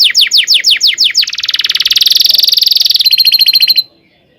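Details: Canary rolling song for training young canaries: a run of falling whistles, then a long fast buzzy trill that drops to a lower rattling roll before ending in silence.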